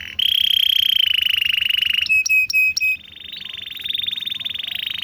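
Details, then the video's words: Canary tutor song for reluctant singers: a long steady whistled roll, four short clipped notes, then another sustained, slightly rising pulsed roll. "masteran burung kenari rajin bunyi cocok buat pancingan kenari susah bunyi/macet"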